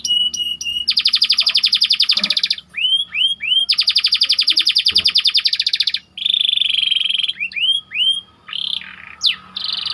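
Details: White canary bait song for training canaries, rolling and dense: long fast buzzing trills broken by clusters of swooping whistles, loud and close in a quiet room.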